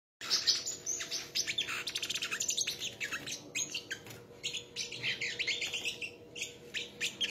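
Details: Sunbirds singing in a song contest: dense, rapid high chirps and trills, sharp repeated notes pouring almost nonstop with brief pauses.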